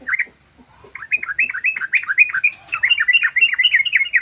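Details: Yellow-vented bulbul (trucukan) singing in the rapid 'ropel' style, played as a lure: fast, dense bursts of rich chattering, warbled notes, running almost continuously after a short pause near the start, with a steady faint high hum.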